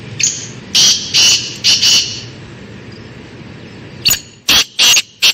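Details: Forest-dwelling black francolin calling twice: a full phrase of harsh, rasping notes after a short lead note, then after a pause a second phrase of sharp, strident bursts, cut off at the end.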